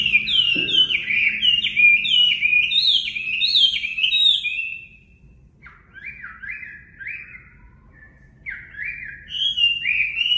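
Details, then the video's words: Caged-bird training song of a Chinese hwamei: a loud run of repeated down-slurred whistles, a quiet gap, then separate rising-falling whistled phrases with short pauses between them. "Luyện giọng Họa Mi mộc"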